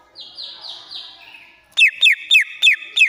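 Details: Excited greater green leafbird from Banyuwangi, a lure for a silent bird: a string of falling buzzy trilled phrases, then five loud sharp piercing notes repeated about every third of a second.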